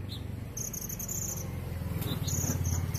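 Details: Van Hasselt's sunbird in a caged song bout from Brongkol village, Indonesia, kept with a female setting in a colony, singing ngerik style: strings of shrill, high chirps in two quick runs above a throbbing low engine-like rumble.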